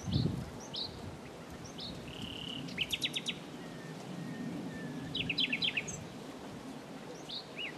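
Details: Singing common nightingale giving varied phrases: a drawn-out whistle, crisp rattling note bursts, and upslurred chips, separated by pauses, over a hissing outdoor background with some low rumble.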